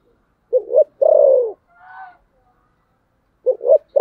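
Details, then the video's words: Fighting coo of a spotted dove in the thổ sấm gù style: one full phrase of two clipped rising notes then a drawn-out descending coo, a soft whistled tone after it, and the next phrase starting at the end. "thổ sấm gù/ Cu gù đấu"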